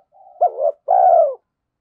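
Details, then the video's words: Spotted dove used as a decoy bird: a faint murmur, then one cooing phrase of a short two-part note followed by a longer, steady, low, slightly falling coo. "Chim Cu Mồi _ cu gay kich boi nhanh noi gù"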